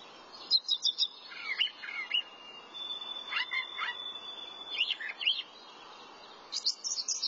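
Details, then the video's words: Thrasher singing: a varied run of short chirps, trills and slurred notes in separate phrases, one long steady whistled note in the middle, over a low background hiss. "Thrasher sings"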